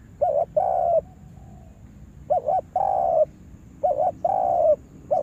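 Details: Decoy spotted dove trained for trapping in a yard, calling in low, mellow phrases. Each phrase is a quick double coo and then a drawn-out coo, with a quiet gap after the first phrase.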